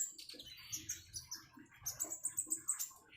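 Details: Common iora song near running water: chattering mid-high notes that become a fast run of piercing high chips repeated about five times a second, with a low watery patter beneath.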